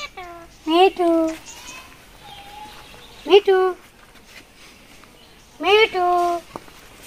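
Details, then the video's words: Indian ringneck parakeet, a pet talking parrot in Bangladesh, recorded 24 November 2023, saying words like "me me": three loud, clipped, harmonic speech-like bursts, each a quick rising then level syllable, with quiet pauses and faint background chirps between. "সখের মিঠু কথা বলে || Kotha Bola tia pakhi Talking about parrot"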